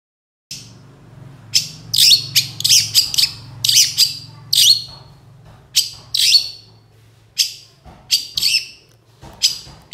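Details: Cendet, the long-tailed shrike, singing in a master recording used to train songbirds: harsh, scratchy bursts in irregular clusters with brief gaps, mixed with thin whistles, over low electrical hum.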